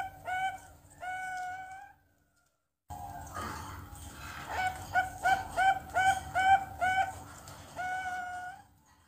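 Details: Young Bangkok zebra dove, a two-month-old captive chick learning to sing, gives two drawn-out coos, a pause, then a rapid string of short, evenly spaced notes ending in a longer coo, over a constant hum.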